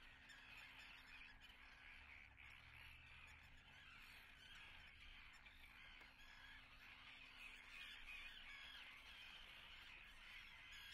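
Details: Nesting common terns at Atlit, 10 June 2010. Continuous grating calls from many birds overlap without pause, with a faint low steady hum underneath.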